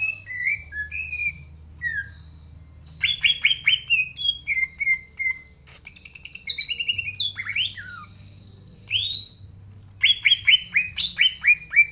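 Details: Green leafbird singing energetically (gacor), natural voice used as a lure: varied whistled phrases, rapid runs of downslurred notes, high sweeping calls and chattering mimicry-like bursts over twelve seconds.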